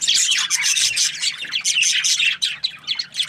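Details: Budgerigar breeding pairs in an aviary, a dense overlapping chatter of rapid high chirps, squawks and warbles from several birds, continuous with only brief dips.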